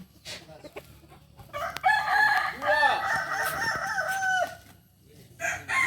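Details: Kokok balenggek chickens at a practice gathering in Solok; after faint scattered sounds, a long multi-note crow with stepped, arching tones dominates the middle, and other crows start again near the end.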